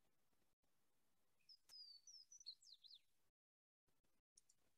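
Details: Swainson's Warbler in central Alabama, favouring dense understory and Chinese privet stands along Shades Creek, sings a loud phrase of slurred whistles, then a quick tumbling run of falling notes, like 'whip whip whip whipper-will'. A faint hiss and a few clicks follow.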